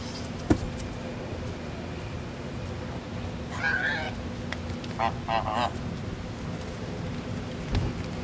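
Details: Geese at a resort give a short burst of nasal honks, then three quick harsh honks in a row, set against a constant low mechanical hum and a few sharp clicks.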